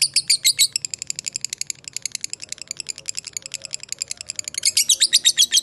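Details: Lovebird chattering in 'ngekek' style as a lure for fighter birds; loud high ticks at the start and end, softer, uneven rapid notes between.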